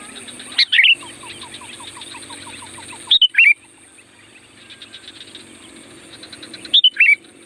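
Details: Wild-bulbul lure song of a Sooty-headed bulbul: three short, sweet, bubbling phrases with long gaps, over a steady high-pitched whine, a run of soft descending chips and faint rhythmic ticking.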